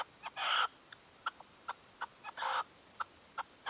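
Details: Two loud, grating bursts stand among a string of brief, clipped notes from a red-legged partridge decoy calling at a dawn hunting stand in 2023.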